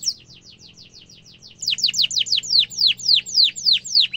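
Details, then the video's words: Canary song used to train young birds: soft series of descending chirps that grows into louder, evenly spaced down-slurred whistles, roughly four per second. "Kenari gacor ngerol tajam suara kesukaan kenari muda gampang ditiru efektif untuk masteran kenari"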